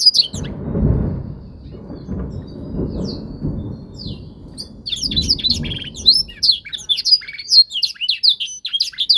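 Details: Young canary in singing training, learning to imitate a master song: a rumbling, rain-like low noise fills the first half, then bright rapid twitters, down-slurred whistles and trills take over.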